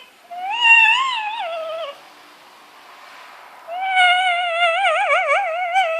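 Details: Pet black-capped lory indoors, beak overgrown, giving weird noises: a loud, nasal, cat-like wail that rises and falls, then after a pause a long quavering, vibrating tone with strong harmonics.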